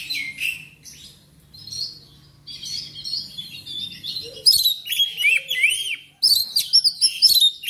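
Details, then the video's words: Black magpie-robin in full song, meant to prompt captive birds to sing; clear whistles and warbles, then bursts of fast, looping high notes with short pauses between phrases. "TERAPI KACER CEPAT SEMANGAT RAJIN BUNYI"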